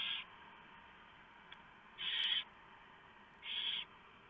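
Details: Barn owl nest in the small hours of 3 November 2015, male arriving with a large mouse for the owlets; a screech tail at the start, then two rasping hissed screeches a second and a half apart.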